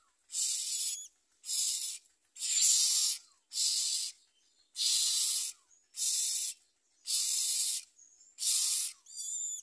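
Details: Common myna chicks at the nest with their mother give a steady run of eight harsh, hissing rasps, each about a second long, repeated roughly every second, ending with a thin squeal.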